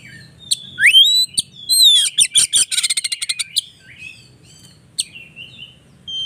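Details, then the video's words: White-rumped shama lure song, recorded by phone to excite silent or young shamas into singing; upswept whistles, then a dense burst of rapid clicking, rattling notes, followed by scattered thin whistles. "Pancingan Burung Kacer"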